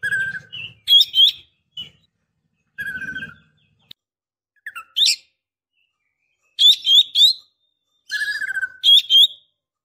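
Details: Female Oriental magpie-robin calling for a male: repeated phrases of a low wavering whistle followed by bright sharp chirps, recurring every few seconds with quiet spells between; faint low rumble early on.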